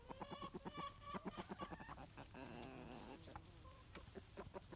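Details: Dust-bathing rooster giving comforting clucks to a hen, briefly upset about the hen's whining: rapid repeated low clucks, then a longer harsh raspy burst, followed by sparse clucks and scratching noises.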